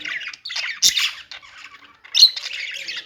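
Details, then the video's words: Budgerigar chirping in two loud bursts of harsh, buzzy squawks separated by a quieter stretch of soft chatter. "budgies singing | budgie sounds | parakeet chirping sounds"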